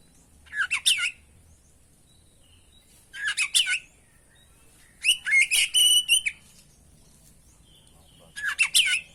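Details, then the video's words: Oriental magpie-robin (kacer) singing actively, used as a training and lure recording: four separate bursts of rapid, chattering, high notes mixed with short whistles, spaced a few seconds apart over a quiet background. "masteran pancingan burung kacer gacor isian bongkar"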